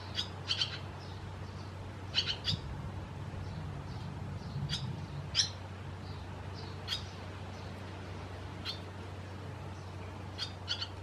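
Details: Barn swallows from Croatia calling with sparse, clipped high chirps, some in tight pairs, separated by gaps of one to two seconds, over a low steady hum and soft rumble.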